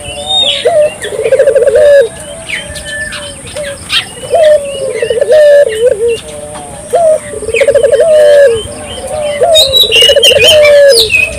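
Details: Spotted dove lure in full voice to make local doves answer: low throbbing coo phrases, each a quick note then a pulsing trill and a held end note, repeated about every two and a half seconds, with scattered chirps of small birds.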